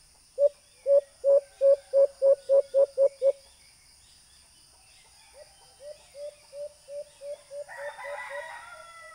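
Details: White-eared brown dove call, used with a small Bluetooth speaker to attract birds when hunting: nine loud, quick hollow hoots, a silent gap, then a softer run of hoots overlapped by a crowing sound at the end.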